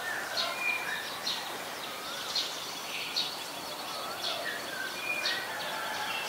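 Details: Resident Oriental magpie-robin singing in Ubon Ratchathani, Thailand, 3 February 2023, filmed on a Nikon P1000: soft, scattered whistles and short chirps, some rising or falling, over constant background hiss.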